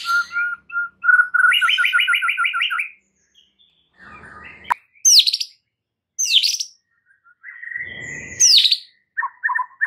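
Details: Lure song of a white-rumped shama for calming a stressed bird and prompting loud singing: a steady whistle turning into a quick trill, then separate sweeping, squeaky high notes with pauses between them.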